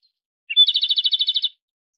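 A Japanese robin gives a short song: one high opening note, then a fast, even rattling trill of about eleven notes, lasting one second. Nothing else is heard.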